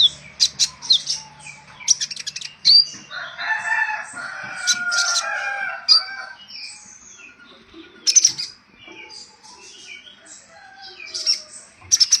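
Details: Olive-backed sunbird song used as bait to draw other birds: bursts of very high, sharp ticking chirps at the start, a dense warbling passage in the middle, then spaced high squeaky notes and quick trills.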